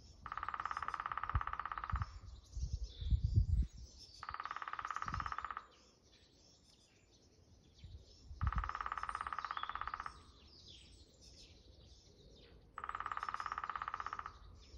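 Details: Lesser spotted woodpecker at Dalby, Sweden, on 19 April 2022 gives four rapid, even runs of shrill notes, each about two seconds long, with low wind rumble and faint distant birdsong.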